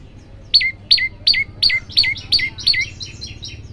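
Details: Song of an olive-backed tailorbird, played to make other birds sing along: seven loud downward-hooking whistled notes at a steady pace, trailing into softer short echoes.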